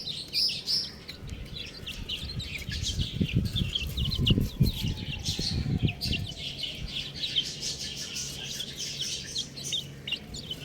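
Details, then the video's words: Chicken chicks keep up a dense chorus of high, quick peeps, while heavier low bumping and handling noise swells in the middle and then fades. "Adorable Chick Sounds | Amazing Chicks Chirping Sounds"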